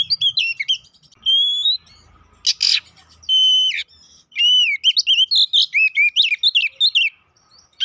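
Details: Oriental magpie-robin (kacer poci) fighting-lure song: varied loud whistles and slurred phrases with a brief harsh burst, ending in a quick series of sharp rising and falling notes.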